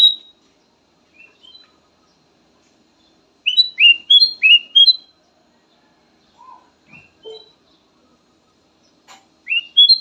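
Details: Kutilang emas song variation, described as soothing and good as a lure: a lively run of loud, rising whistled notes, quieter scattered chirps, then another bright phrase at the end.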